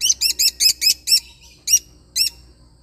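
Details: Lovebird parrot singing: a fast string of six shrill, metallic chirps, then two more spaced out, all high and piercing over a low hum.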